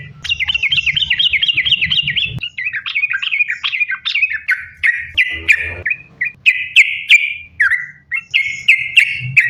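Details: Fast, nonstop sooty-headed bulbul song to coax bulbuls into singing: a quick trill of rising-falling notes, slowing into separate bright chirps and short whistled slurs.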